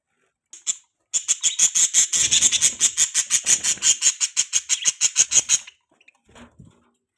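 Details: Budgerigar chirping: a fast, even burst of high, scratchy chirps, about six per second for four and a half seconds, followed by a short quiet gap and a soft low rustle.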